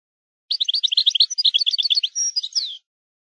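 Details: European goldfinch singing a maknin-style song used to tutor young goldfinches: a rapid, twittering run of high bright notes lasting about two seconds, closing on a few drawn-out buzzy and descending slurred notes; no other sounds.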